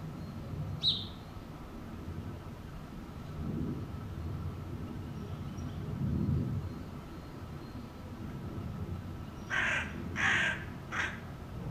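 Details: Hooded crow (Corvus corone cornix) giving three harsh, hoarse caws in quick succession near the end, after a long stretch of low rumbling background noise with one brief high squeak early on.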